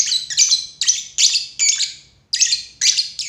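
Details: Lovebird giving loud, shrill, buzzy chirps in quick bursts of two or three, each harsh note ringing and fading before a short pause, with one longer gap before the final run of calls.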